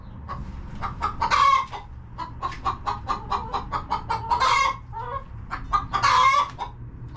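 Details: Coop hens clucking contentedly: quick strings of short clucks, two louder grating squawks near the start and end and one in the middle, and a soft low background rumble throughout.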